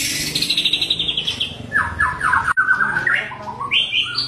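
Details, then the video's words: White-rumped shama in the wild at Bahorok forest: a series of high chirps sliding downward, then a row of lower slurred whistles and rising notes, with faint low background rumble. "Kicauan Asli Hutan Murai Bahorok"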